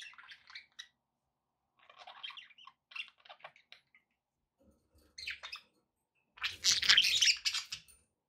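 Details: Budgerigars indoors chattering in quick scratchy phrases of clipped notes, pausing between bursts, ending in a loud harsh squawking outburst.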